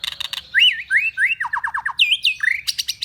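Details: White-rumped shama singing, recorded as a tutor for training cage birds: rich, fast medley of looping whistles, a quick run of five descending slurred notes, buzzy trills and sharp chattered notes, loud and clear against a faint low hum.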